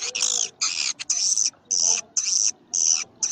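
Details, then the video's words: Swiftlet calls in the karindanga, liris and gondes styles: loud, high, buzzy chirping bursts about half a second long, separated by short silences, roughly two bursts per second. "sp walet karindanga. liris terbaru. gondes suara walet"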